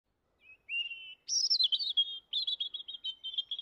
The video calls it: Robins bird singing